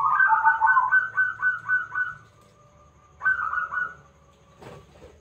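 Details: Big-voiced local zebra dove singing persistently as a lure to set other birds calling: a rapid string of clipped, hiccuping coos fading into a held note, then a shorter rolling phrase, a soft knock at the end.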